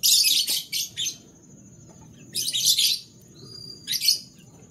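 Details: Canaries singing in the morning: dense, buzzy trilled bursts of song, three main phrases separated by short pauses, over a low rumbling background hum.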